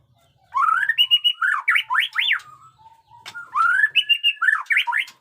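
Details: Captive white-rumped shama of the jenggot dewa type in freshly grown plumage, singing in the batuk koral and muntah beling styles as a lure for training young and adult birds: two bursts of loud, varied whistled phrases with rising slurs and sharp up-down notes, separated by a brief pause.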